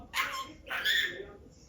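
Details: A talking budgerigar in back-and-forth conversation with its owner chatters two short, squeaky, speech-like phrases in a thin, high, scratchy voice, each about half a second long.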